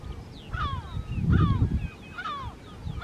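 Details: Lesser black-backed gull, one of a pair near the breeding colony on Rottumerplaat, the Netherlands, 3 June 2023, giving three nasal, downward-sliding calls about a second apart, over a steady rumble of wind or surf.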